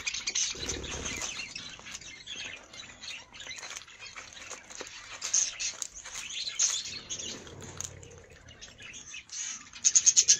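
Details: A flock of budgerigars of various colours in an aviary chatters constantly in high, scratchy warbles and chirps, with sharp squeaks and a few soft fluttering wingbeats breaking through.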